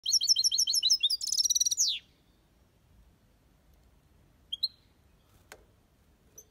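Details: European goldfinch singing in an aviary in the Málaga copy (copia Malaga) style: a quick run of repeated high tinkling notes rolls into a dense buzzy twitter, then stops, leaving a few scattered chirps and a sharp click.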